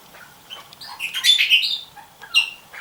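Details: Red-rumped parrot that has been approaching and peering into a nest box more often for several days. Harsh, chirping squawks cluster in the middle, with a shorter chirp near the end and faint background sounds.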